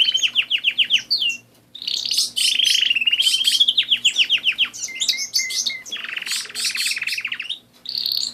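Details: Pet canaries singing indoors: loud rolling trills and rapid repeated notes, buzzy chattering phrases and sweet whistled tours, changing tempo every second or so, with a faint steady hum beneath.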